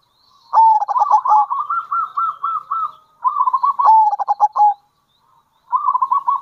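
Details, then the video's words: Local zebra dove giving gacor kerot and bekur cooing, used as a lure for other zebra doves: rapid stuttering, pulsed coos in a long rolling phrase, then a shorter burst and a third starting at the end, on a clean quiet background. "Panggilan Perkutut Lokal !! Perkutut Lokal Kerot Gacor Dan Bekur Ampuh Untuk Pancingan Perkutut"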